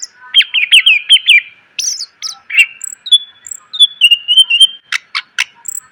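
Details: Greater green leafbird tutor song for cage birds, full of varied phrases: a fast repeated rising-falling whistle motif, higher slurs, then long level whistled tones followed by three sharp snapping notes.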